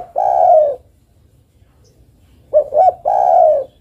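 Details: Female spotted dove calling the male: a loud, drawn-out croon, a long silence, then two short clipped coos leading into another long falling croo.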